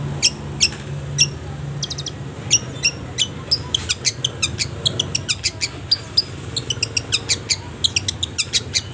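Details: Long-tailed shrike training song for caged birds, full of pauses: a long series of short, thin high ticks and chirps, sparse at first, then quickening into a rapid, even stutter, with a low hum underneath.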